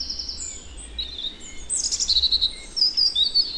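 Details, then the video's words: European robin (Erithacus rubecula) recorded in the Netherlands, singing a high, tinkling series of varied trills and thin whistled phrases that quicken toward the end, over a faint low background hum. "Birdsong: European Robin"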